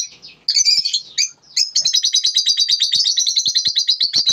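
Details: Lovebirds in the morning: shrill high chirps, then a rapid run of about twenty-five clipped twittering notes forming a fast continuous chatter, with faint low clicks beneath.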